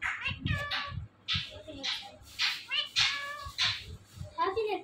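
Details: Indian ringneck parakeet talking indoors, repeating the phrase "mitthu mitthu" in rapid, harmonic, speech-like bursts with a nasal, high-pitched tone, several short syllables tumbling over each other for about five seconds.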